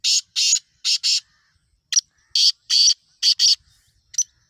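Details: Black francolin uttering loud grating notes in two clear series, each opening with a short clipped note, then paired rasping syllables, with a quiet background.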